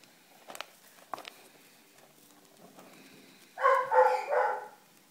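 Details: Young rosy-faced lovebird, roughly 25 days old, during hand-feeding: a burst of three rough, rasping, pulsing calls running together over about a second and a half, preceded by soft clicks and a quiet room.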